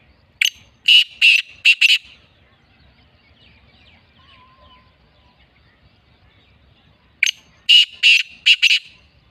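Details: A captive Black francolin (kala teetar) gives two bursts of five or six harsh, grating notes in a quick rhythmic phrase, separated by several seconds of near silence.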